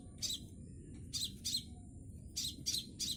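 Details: Young scarlet minivet practising its song: bright high chips, singly and in quick pairs, separated by short gaps of near silence against a faint low hum.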